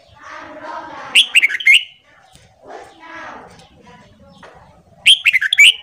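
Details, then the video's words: Red-whiskered bulbul morning training song for newly caught birds: murmured chatter leads into a sharp, quick warbled phrase, then quieter chatter, and a second bright whistled phrase near the end. "Luyện Giọng Chào Mào Hót Sáng Kích Chào Mào Bổi"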